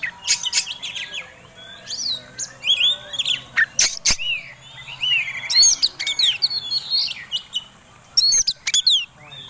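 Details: Oriental magpie-robin in fighting display, singing to provoke other birds: varied whistled phrases and chattering notes in bursts, broken by loud sharp clicks and short pauses.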